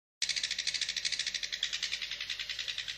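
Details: Cendet, the long-tailed shrike, in energetic 'gacor' song: rapid, scratchy, buzzing notes repeated about every fifth of a second without a break.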